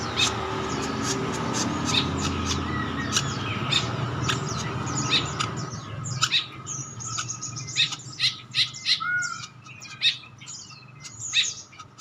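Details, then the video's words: A male green woodpecker gives sharp, high, clicking chips in quick irregular bursts, over a steady faint hum and low background rumble; green woodpecker. "Burung pelatuk hijau ubi jantan"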